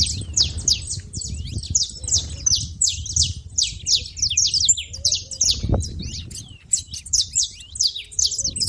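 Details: At a feeder, saffron finches give a busy stream of bright, high, descending chirps, many voices overlapping, with a soft low background hum and one brief thud.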